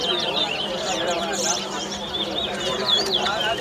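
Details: Competition singing by a chestnut-bellied seed finch (towa towa) at Lusignan, Guyana: bright, twittering high notes with sweeping slurs, delivered in a fast run beneath a background of human voices.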